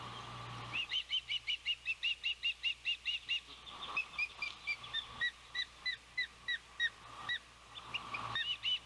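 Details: Osprey calling at a Savannah nest on a windy June 12, 2021, the day the oldest chick first fledges; a fast, even series of piercing whistled chirps, about three per second, then slower, downslurred notes over wind.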